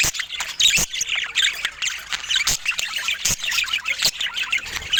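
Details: Budgerigars feeding in natural light: dense, overlapping high chirps and squawky chatter from several birds, broken by sharp clicking taps every second or so.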